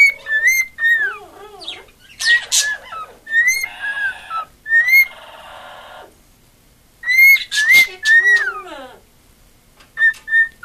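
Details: Female pet cockatiel, said to love attention, singing indoors: clear whistled notes that rise and fall, broken up by buzzy chattering phrases and brief pauses.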